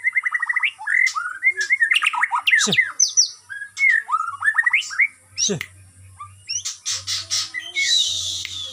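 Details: Captive white-rumped shama (murai batu) at a bird farm, in a routine free-flight exercise regime to build stamina, delivering a rich, varied song of whistled notes, quick ladder-like trills, sharp downward slurs and scratchy bursts, with a faint low hum behind.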